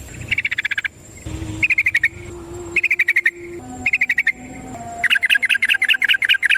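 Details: Yellow-vented bulbul (trucukan) in full ropel song used as a lure for other birds: short bursts of quick chattering notes separated by brief pauses, ending in a longer run, with a low steady hum underneath.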